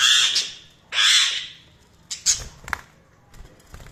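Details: Budgies give two loud, harsh, noisy squawks about a second apart, followed by a few softer clicks and short chirps with a faint low rumble.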